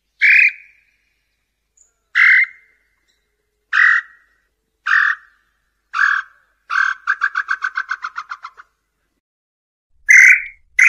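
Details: Tataupa tinamou (nambu-pé-roxo) song, used to attract males and females: spaced, falling whistled notes about every one and a half seconds, then a quick stuttering trill of a dozen short notes, then one more whistle.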